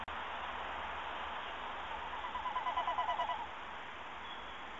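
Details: Male tawny owl calling outside a nest box while the female sits inside, 12 March 2018, 05:48. A faint, quavering tremolo hoot lasts about a second, its rapid pulses rising out of steady background hiss.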